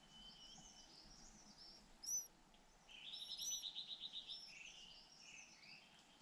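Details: Hungry white-eye chicks, two in the nest, being fed by both parents in turn. One sharp chirp is followed by a fast, pulsing buzzy trill lasting about a second, plus faint high twitters.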